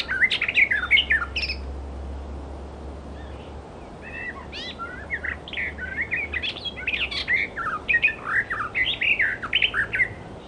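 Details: Wild Icterine warbler giving a fast, varied jumble of chattering, squeaky and mimicked phrases, with short bursts and pauses; a low steady hum runs underneath.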